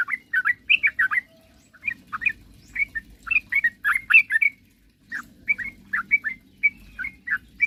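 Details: Sooty-headed bulbul singing to provoke rivals, with bursts of short bright whistled notes separated by brief gaps, each phrase a quick tumbling series, over a soft low hum.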